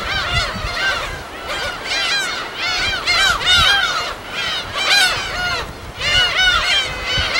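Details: Many gulls calling together at a colony on an uninhabited West Sea island, a field recording: bursts of squealing, downward-curving cries that surge roughly every second or two, layered over one another.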